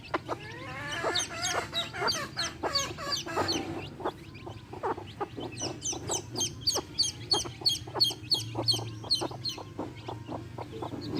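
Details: Baby chicks with a hen: rapid high-pitched peeping, nearly three chirps per second, forming a steady chatter over soft, lower hen clucks.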